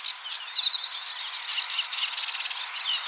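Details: A Sedge warbler sings a fast, scratchy, unbroken run of high chattering notes mixed with brief sweeter trills, recorded at 53.286375, 22.608654.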